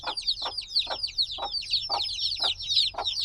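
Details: Black baby chicks hatched a few days ago, still needing warmth, chirp in a noisy brood: dense high-pitched overlapping cheeps, with broadband peeps recurring about every half second.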